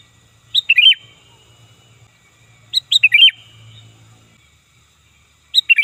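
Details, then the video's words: Sooty-headed bulbul, loud and fierce, for calling birds in: brisk phrases of a high note then a tumbling pair of lower fluty notes, repeated about every two and a half seconds over a soft low rumble. "Suara Burung Kutilang Gacor Ganas Dan Keras Ampuh Untuk Panggilan Dan Masteran"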